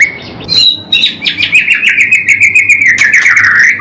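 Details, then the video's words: White-rumped shama song used as a master recording for training caged birds: loud, varied whistled phrases, a steady whistle then quick slurred notes and rapid rising-falling warbles run together. "masteran istimewa untuk melatih mental pastol murai part 1 batu"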